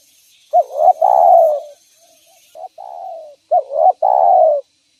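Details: Lively derkuku, the spotted dove, used to lure and trap others of its kind: three phrases, each a short rising note followed by a long, mellow, gently falling coo, repeated about every one and a half seconds.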